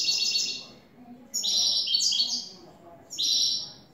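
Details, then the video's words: European goldfinch, a newly acquired bird, sings bright, tinkling, twittering phrases in three quick high-pitched bursts with short pauses, a clean song known as "el tres vueltas". "Jilguero a cante limpio " el tres vueltas""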